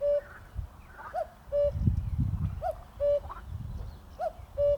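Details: A Common Cuckoo about 10–15 feet away in a reed-bed nature reserve in the UK gives its two-note 'cu-coo', a higher hooting note dropping to a lower one, about every one and a half seconds over low wind rumble.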